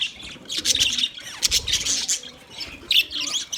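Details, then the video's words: Budgies squawk and chirp in loud, scratchy bursts of high chatter, with short pauses between the bursts. "Budgies chirping sounds for lonely bird"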